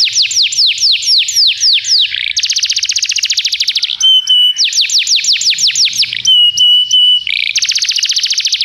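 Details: Belgian canary, a tutor singer singing at length: sets of loud, sharply descending whistled sweeps alternate with fast buzzy trills and long steady high whistled notes, all bright and high-pitched, with almost no background noise.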